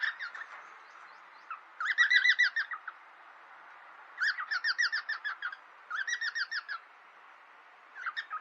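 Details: Pet cockatiels play-fighting give short bursts of fast grating chatter, each lasting about a second, separated by quiet gaps of a second or more.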